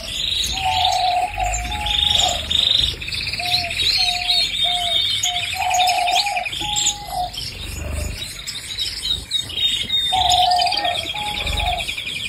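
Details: Loud, sustained canary song made of rapid rattling trills and clear low whistled notes, switching between tours every few seconds with brief pauses.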